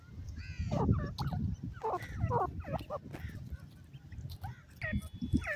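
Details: Grey francolin chicks making busy, overlapping down-curved peeps and squeaky notes, several callers at once, against continuous low rumbling noise.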